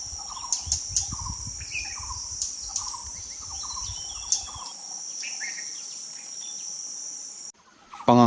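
Puff-throated babbler giving short, clear whistled notes in a quick repeated series. A steady high insect drone runs underneath, and a rustling noise comes at the end.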